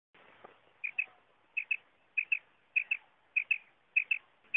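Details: Common quail call used for hunting: short, sharp, clipped notes given in quick pairs, each double note repeated about every 0.6 seconds in a steady series against a quiet background.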